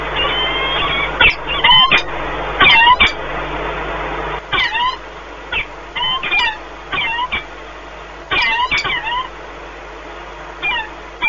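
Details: Peregrine falcon pair meeting at the nest in Płock, Poland, on 1 March 2019 during a long bonding encounter; repeated clear, chevron-shaped squealing calls sounding in short bursts with uneven gaps, over a steady low mechanical hum.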